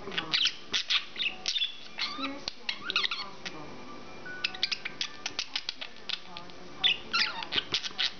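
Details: An English budgerigar chatters in rapid bursts of harsh squawks, chirps and warbled notes, some screechy and high-pitched, with faint background sounds; owner hears the words "do NOT drive the car".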